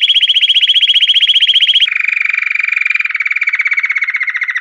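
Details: Pure campainha song of a Belgian canary: a loud, rapid bell-like trill at a high pitch, then a sudden drop to a slightly lower, equally fast trill that continues steadily to the end. No background noise.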